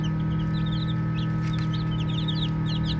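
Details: Baby chickens chirp in quick, uneven runs of soft high peeps, roughly three a second, with a brief gap in the middle and a low hum throughout.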